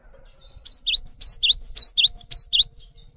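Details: Cinereous tit, an active singer, used as a tutor song for training other songbirds: a run of about a dozen bright, high whistled notes alternating between sharp upslurred and downslurred notes, delivered quickly for over two seconds.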